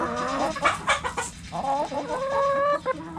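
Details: Backyard hens clucking close by: rapid clipped notes at first, then drawn-out wavering, slightly rising tones with clear harmonics, over a low hum.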